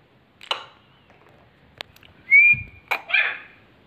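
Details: Young male grey francolin (teetar) answering a whistle: a drawn-out rising whistle is followed by a harsh, broad burst of call, with scattered sharp clicks earlier.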